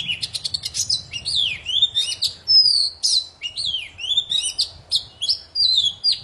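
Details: Very lively song of a poci magpie-robin, played to get silent birds singing again: nonstop swooping whistles and quick chips repeated in short bursts about every half second.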